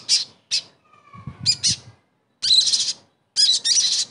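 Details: Sogon, a kept songbird, heard in a lure recording used to coax a silent bird back into singing: short bursts of high, scratchy chattering notes with brief pauses between them, and a faint low rumble in the background.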